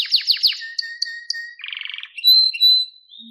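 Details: Canary singing a varied training phrase: quick downslurred notes, a thin held whistle with soft chips, a buzzy low roll, then clear whistled notes.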